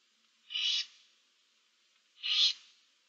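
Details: Two rasping, breathy hisses from barn owl nestlings in a nest box holding seven chicks, 15 March 2024, about 1.7 seconds apart against a quiet background.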